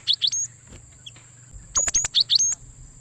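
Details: Cinereous tit (gelatik batu) recorded as a lure for trapping wild birds: two bursts of sharp, high, bright chirps with short upslurred notes, separated by a pause, over a steady high-pitched whine and low hum.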